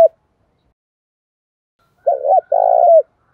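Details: Spotted dove singing the 'thổ pha thúc rút đấu' cooing style, meant to get newly caught doves singing along: after a silence, one low two-part coo, a brief note followed by a longer, steady one.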